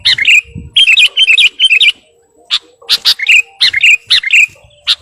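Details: Sooty-headed bulbul in full song, calling a rival: quick runs of bubbly, wavering whistled notes in rapid bursts, a short pause, then harsher chattering notes mixed with further warbled phrases.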